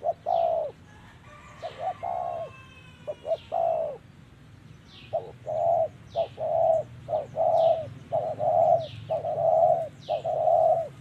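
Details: Wild Spotted dove (Spilopelia chinensis) cooing during decoy trapping, 2023: soft, low, hollow coos in short groups, roughly one note per second, with faint higher bird chirps in the background.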